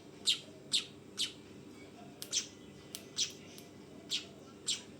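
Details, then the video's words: Young weaver producing harsh high-pitched chirps, about nine notes at irregular gaps, with a few fainter clicks and a steady low hum. "SUARA BURUNG MANYAR TROTOLAN!!"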